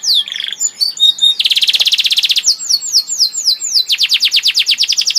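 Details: Canary song mixing quick slurred notes with a long, loud buzzy roll, then sweeping whistles and a fast trill of repeated descending notes.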